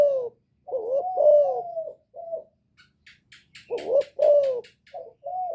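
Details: Spotted dove's Thổ-voice calling coo to rile wild rivals, two phrases of husky coos, with a burst of fine high ticking chirps between them.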